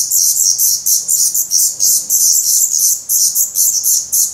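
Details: Nest of Black Redstart in Portugal, 17 May 2020, with hungry young shedding their down: loud, unbroken high-pitched wheezy begging, rhythmic throbbing bursts several per second.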